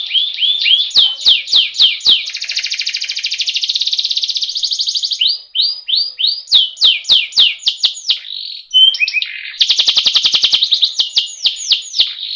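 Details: Canary rolling song used as training audio for birds to sing: fast repeated sweeping notes alternate with sustained high buzzing rolls and sharp clicks, shifting rhythm several times.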